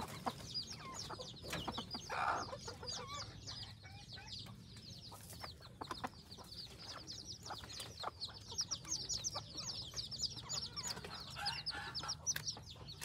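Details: F2 red junglefowl hybrid fowl kept in a village in Phon Thong, Roi Et, Thailand: dense, rapid high peeping chirps repeated almost continuously, with short lower clucking bursts and steady low background rumble.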